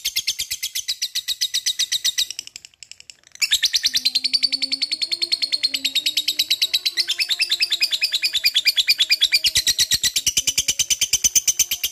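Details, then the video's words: Long ngekek song of a lovebird, used to provoke other lovebirds to reply: continuous rapid harsh chatter, a brief break after two seconds, then a long unbroken run of pulsed notes with a faint lower tone behind. "gacor rajin ngekek panjang"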